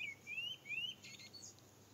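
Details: Common Blackbird singing, recorded live: two clear whistled slurs rising in pitch, then a brief, higher, scratchy twittering phrase, all fairly quiet against a low background hum.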